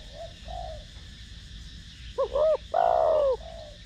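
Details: Spotted dove, 'thổ đồng' style voice, cooing to stimulate decoy doves: soft low murmurs lead into a loud phrase of two brisk notes and a long descending coo, ending in a faint trailing note.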